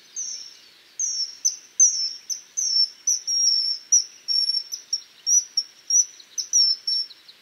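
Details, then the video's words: Common kingfisher repeating shrill, high whistled notes in a long, fairly steady series, roughly three per second, each note a short, slightly descending piercing tseee. "O canto do Guarda-rios (Alcedo atthis)"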